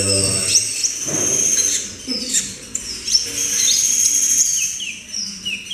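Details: Young captive brown-throated sunbird, taken from a batch of wild-caught birds, practising its song: thin, very high whistled notes and short descending slurs, loosely repeated, with low voices and soft background noise at the start.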